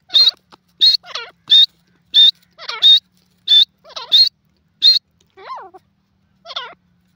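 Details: Francolin calls in a rapid, fairly regular run of loud, high, harsh notes interleaved with lower wavering slurred notes, tailing off into a few softer descending calls.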